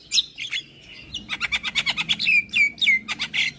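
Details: Javan myna in morning song said to draw answers from nearby mynas: a whistled opening, then a quick rhythmic burst of about a dozen clipped chirps, followed by downward-sliding whistles.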